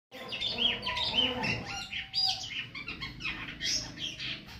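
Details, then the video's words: Silky starling in energetic song, offered as a tutor recording for training other birds: a busy run of high whistled slurs, short rising notes and sharp chattering chips, with a faint low hum underneath. "jalak sutra gacor. cocok untuk masteran burung lain"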